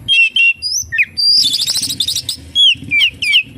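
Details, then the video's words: Oriental magpie-robin singing a full kapas tembak-filled song: loud, clear whistled phrases with upward and downward sweeps, and a rapid buzzy rattle in the middle. "SUARA BURUNG KACER, FULL ISIAN KAPASTEMBAK"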